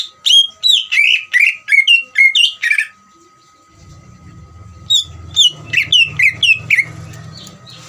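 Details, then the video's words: Ngeriwik song of a greater green leafbird, meant to provoke others to sing: fast, loud, slurred whistles, a silent pause over a steady hum, then another run of whistles with a low rumble behind. "CUCAK IJO NGERIWIK COCOK UNTUK MANCING CUCAK IJO BAHAN BIAR EMOSI DAN RAJIN BUNYI"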